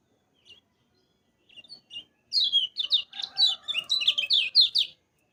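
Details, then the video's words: Yellow-vented bulbul, kecial kuning, in a tutor recording for training other birds: a few soft chirps, then a fast run of bright, twisting whistled notes that rise and fall, about a dozen phrases packed into two seconds. "Kecial kuning Masteran"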